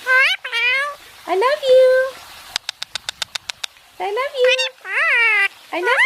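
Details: Indian ringneck parakeet kept as a pet, basking and talking: several clear, voice-like harmonic phrases, a quick series of about nine sharp ticks in the middle, then more rising and falling word-like sounds.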